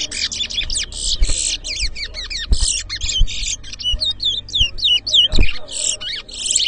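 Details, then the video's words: Towa towa, the chestnut-bellied seed finch, in a 2023 whistling competition at Edinburgh Village, Guyana: dense, loud stream of buzzy bursts alternating with sharp whistled slurs, nearly continuous, a few knocks and faint voices behind. "TOWA TOWA BIRD WHISTLING COMPETITION"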